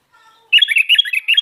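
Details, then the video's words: Sooty-headed bulbul singing actively: after soft low notes comes a fast, chattering run of loud, throaty warbled syllables, about six bursts in one second, harsh and bubbly. "Burung Kutilang Garuda Gacor"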